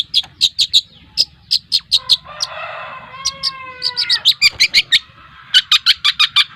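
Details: Two-month-old speckled long-tailed shrike of the Lampung type giving sharp, high clicking notes, about three per second. A long, harmonic drawn-out call overlaps the middle, then the rapid ticking resumes.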